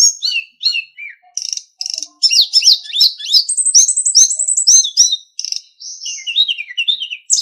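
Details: Sulingan master recording used to teach captive songbirds, a continuous tumbling warble of high whistles, buzzes and downward slurs with brief pauses between bursts.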